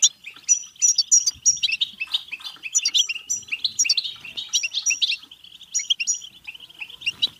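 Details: Goldfinch, European, in bitbita song for prompting birds to sing and mate: busy, jangling twitter of clipped chirps and paired high notes repeated in quick series, a short softer stretch near the end.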